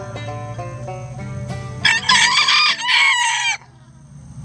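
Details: A rooster in a sanctuary chicken coop crows loudly and harshly in two strained, drawn-out bursts lasting under two seconds. Plucked string music plays before the crow, and quiet background follows.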